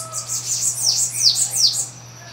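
A bananaquit sings a high, thin run of hissing, down-slurred squeaky notes.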